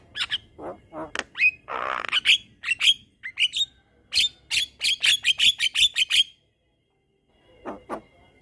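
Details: Lively Javan myna in long rolling song used to tutor other mynas: a broad grating squawk among clipped notes, then a quick series of high sharp chips, silence, and one final double note.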